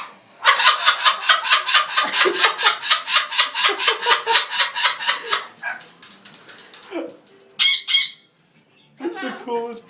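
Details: A talking bird in a pet shop gives a long run of rapid, hoarse laughing notes, about six a second, then breaks into sharp high whistles among people's voices.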